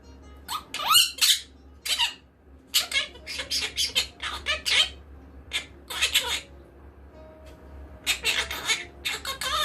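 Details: Harsh, raspy chatter from a pet monk parakeet: irregular runs of grating squawks and a few wavering, warbled notes, intervals uneven, over a faint low indoor hum.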